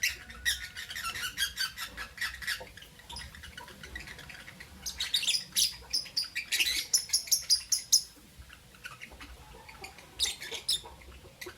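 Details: Albino and Euwing green opaline lovebirds kept as pets, calling in the morning with quick, high, scratchy chirps in irregular bursts, some squeakier rising notes, and a faint low hum beneath.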